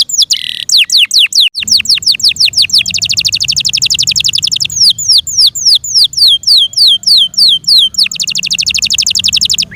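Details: Yorkshire canary singing loudly: rapid series of high downward-sweeping whistled notes, runs into fast dense trills, then more spaced sweeping notes, about three per second.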